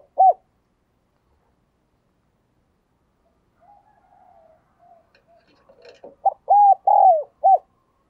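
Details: Decoy spotted dove cooing to draw wild birds. A single coo opens, soft low mutters and a few clicks follow, then a strong phrase of four hollow coos with a long falling third note.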